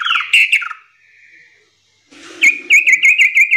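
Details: Juvenile sooty-headed bulbul giving full, varied tutoring song: descending whistled notes that trail off into quiet, then a pause and a string of evenly repeated, clear chirping whistles.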